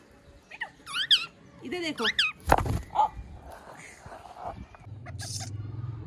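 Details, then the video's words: Pet parrot talking, saying a phrase clearly in Urdu or Hindi: two short, high, wavering voice-like bursts about a second apart, followed by a sharp knock, brief muffled sounds and a steady low hum at the end. "Miya Mithu Chori Khani hai speaking clearly"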